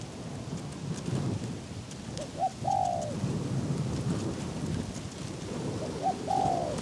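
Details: Spotted dove used as a trap decoy, calling to draw in wild doves on a windy day: two phrases, each of short clipped notes leading into a longer mellow coo, several seconds apart, under heavy wind noise.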